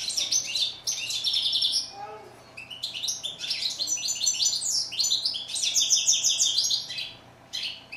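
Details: Song of a European goldfinch, chardonneret in French: bursts of rapid, liquid twittering mixed with harsh buzzy notes and tinkling trills, briefly broken near two seconds by a faint lower sound.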